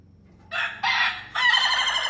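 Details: Rooster crow in three stepped parts: two short harsh syllables, then a longer, wavering, raspy final note that carries on to the end.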